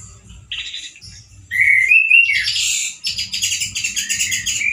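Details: Loud, harsh song of a male orange-headed thrush kept as a songbird, with little variety yet: a brief high note, then a clear rising whistle sweeping into a long scratchy, rapidly pulsing chatter, with faint low thudding behind.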